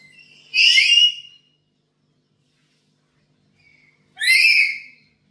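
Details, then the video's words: Black-capped lory at home, used to lure other birds: two loud, harsh, rising screeches about three and a half seconds apart, each under a second long. "Pancingan Burung Nuri Kepala Hitam di rumah"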